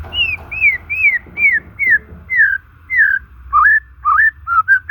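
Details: Natural white-rumped shama song for rousing stalled, stressed shamas: a series of evenly spaced downslurred whistles, about two per second, then lower upswept notes, with a constant soft background hum.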